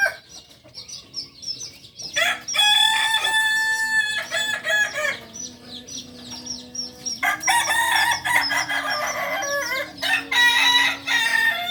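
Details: Solok's native singing chicken, a farm-kept Kokok Balenggek, crows three times, each a long multi-note phrase of stacked tones with stepped syllables, while small birds twitter between the crows.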